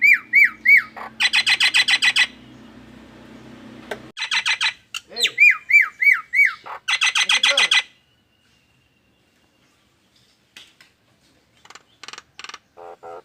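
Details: Nias hill myna giving a strange call likened to an anti-theft alarm: upslurred whistles alternating with bursts of fast, harsh buzzing pulses over a low background hum, then fainter scattered buzzy notes.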